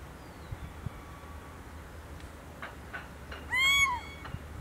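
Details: A little owl at a farm hut in the Vall d'Aro, Baix Empordà, Girona, gives one loud, cat-like mewing 'kee-oo', rising then falling, after a faint sliding whistle, over a quiet hiss.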